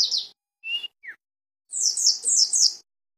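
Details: Mountain white-eye, known locally as pleci dakun, from Cisewu in Garut: a rapid high twittering phrase opens, then two single thin chirps, then a longer run of quick descending high notes near the end.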